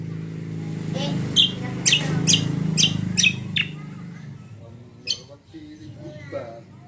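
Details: Greater green leafbird song used as a lure to make other birds answer: a burst of sharp, buzzy chirps repeated about twice a second, over a steady low hum and background murmur, then softer twittering.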